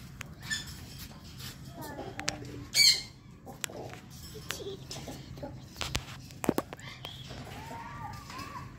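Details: Sun conures, about 22 months old, give a sudden loud, shrill squawk sweeping high near the middle, among softer scattered chirps, clicks and bumps, with a person speaking nearby.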